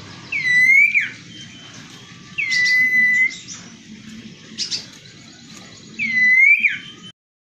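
Common Iora singing loud, drawn-out clear whistles, each sliding down then flattening, in three phrases a few seconds apart, with faint chirps between.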